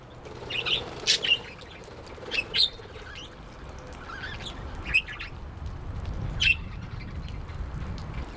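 Budgerigars give short, bright chirps in scattered bursts, with soft rustles and clicks between them.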